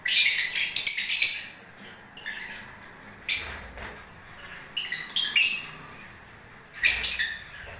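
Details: Lovebirds in breeding season: a quick run of thin, squeaky chirps at the start, then scattered sharp twitters and short shrill bursts with quiet gaps.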